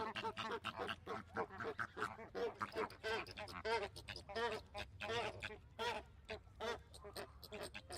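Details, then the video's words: Flock of flamingos giving a continuous clamour of short nasal honking and gabbling notes, many birds overlapping in irregular rhythm over a low rumbling background. "Flamingo Sounds | What does a flamingo sound like"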